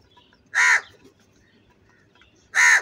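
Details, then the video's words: Angry crow cawing loudly, one hoarse caw followed two seconds later by another, with little else audible. "Very loud voice of Crow sound - Angry kauwa ki awaz"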